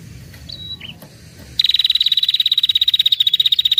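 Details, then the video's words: Female prenjak kepala merah call used to entice males: a thin whistle and short downslurred note, then a long unbroken high trill of rapid, even, buzzy pulses lasting over two seconds. "SUARA PIKAT PRENJAK KEPALA MERAH BETINA NGETIR PANJANG"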